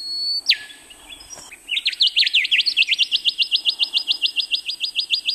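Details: Male rufous whistler in the Burnett region of Queensland, Australia, gives a clear falling whistle, then a long rapid string of about twenty ringing, upslurred notes, roughly six per second.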